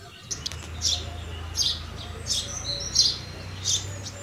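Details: Repeated sharp cheeps from a house sparrow, about one every seven tenths of a second, with a low droning hum underneath.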